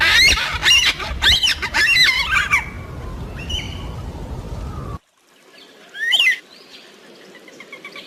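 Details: Yellow-tailed black cockatoo, a large southeastern Australian species calling to keep in contact with its group. Loud, rasping, bending calls cluster in the opening seconds, then fainter notes follow after an abrupt cut.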